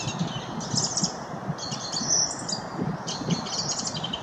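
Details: Song thrush (Turdus philomelos) singing three high, scratchy phrases spaced about a second apart, with a steady low rumble of background noise underneath.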